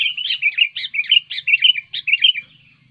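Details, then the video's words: Sooty-headed bulbul giving a loud song to get lazy bulbuls singing: a series of short bubbly, rolling phrases in steady rhythm, trailing off at the end. "SUARA BURUNG KUTILANG NYARING"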